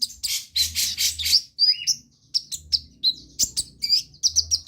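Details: Sunbird in full song, played to coax quiet sunbirds into singing: sharp high chirps and brief rasping bursts, then separate piercing notes and quick rising whistles with small gaps.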